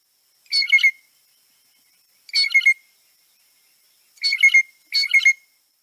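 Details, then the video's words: Blue Jay whisper song, a Kentucky backyard bird: four short, jumbled bursts of high chattering and whistled notes, each under half a second, at uneven intervals against silence. "let's listen to the blue jay song also known as the whisper song now"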